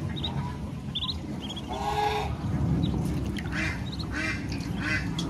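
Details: Mother duck taking ducklings to eat on a rural farm: a couple of raspy quacks near the middle, scattered high chirping peeps from young ducklings, steady low background noise.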